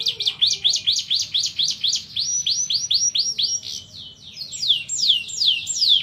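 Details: Canary singing a long roll: rapid series of high rising-falling notes repeated about four per second, shifting into faster downward-sweeping syllables and back to brighter repeated phrases, continuous and loud.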